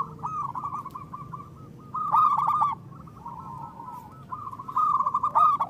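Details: Local zebra doves used as a lure for trapping and to prompt reluctant birds to call: bright repeated coos near one pitch, in rapid rolling phrases with louder bursts around two and five seconds, low background hum.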